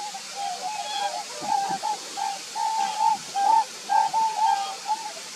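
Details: Whooper swans at Graina, 6 December 2019: mellow bugling notes on a steady pitch, given in an irregular string of short and drawn-out honks, over a constant rush of flowing water.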